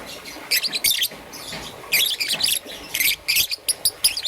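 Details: Morning chirping from a young peach-faced lovebird, green and yellow, in dense, harsh, high bursts run together, with short quiet breaks between clusters.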